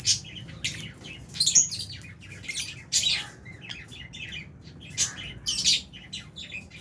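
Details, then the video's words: Flock of albino and Fisher's lovebirds feeding in an aviary alongside budgies; scattered shrill chirps and short squawks arriving in irregular clusters, with quieter chatter and a faint low background hum. "Lovebirds Chirping Sounds"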